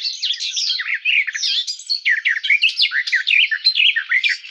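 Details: Sustained rich warbling from a garden warbler (Sylvia borin): quick runs of varied, liquid notes and downward slurs pour out steadily, with no other sounds.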